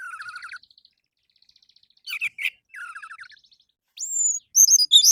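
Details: Orange-headed thrush singing a morning lure for captive birds, a varied run of stuttered trills, sharp high notes and a long rising whistle near the end.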